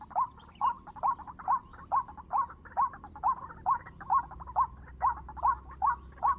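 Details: White-breasted waterhen at 7 in the morning, used for luring birds, giving a steady series of short, hoarse, rising notes, roughly two per second, evenly spaced throughout, over a low background hum.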